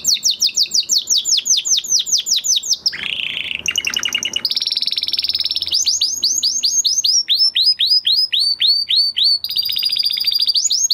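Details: Canary in full post-moult song: long rolls of rapid, high, rising-then-falling chirps, a brief lower buzzy section, then a sustained trill and more fast descending chirp series, loud and continuous throughout.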